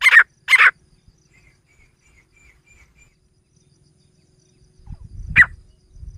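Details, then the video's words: Female grey francolin voice, described as a hunting sound: two loud, harsh, broadband notes in quick succession, a long silence, then one more sharp note over low rumbling handling noise. "Grey female voice partridge hunting sound titeer chick"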